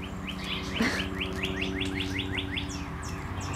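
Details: A loud Northern Cardinal sings in a backyard garden with a fruiting loquat tree on 3 April, giving a fast run of about ten downslurred whistles, then higher, thinner notes, over a steady low hum; cedar waxwings whistle softly nearby.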